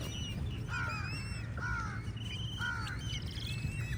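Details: Crows squabbling with eagles over food: three harsh, nasal caws about a second apart, each slightly arched in pitch, while thin whistled calls of other birds sound above and a steady low rumble runs underneath.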